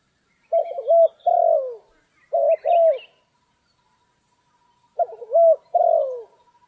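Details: Spotted dove calling during trapping on a stormy, rainy day: phrases of low hooked coos ending in a longer descending note, repeated three times with pauses, a faint chirp between.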